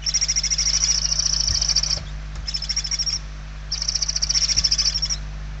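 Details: Begging barn owl chicks, hungry, filmed inside their nest in Spain in November 2023: three raspy, pulsing hisses, the first and last about one and a half seconds long, with a low electrical hum throughout.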